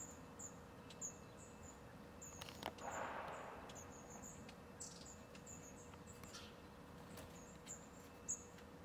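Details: Long-tailed tits (Aegithalos caudatus) near home in Ljubljana on 4 January 2023 give very high, thin, short calls, scattered irregularly, over a steady low hum and a brief rushing noise.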